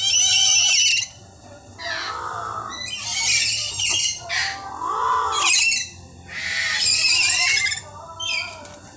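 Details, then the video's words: Several chattering lories at feeding time, a noisy group giving harsh screeching squawks and grating chatter in repeated bursts, with some lower rasping notes between. "Chattering Lory ang dami..//feeding time.."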